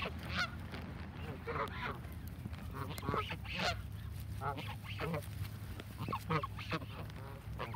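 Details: Busy chorus of Canada geese being fed, dense overlapping honks from many birds throughout, loud and nasal, with steady low noise beneath.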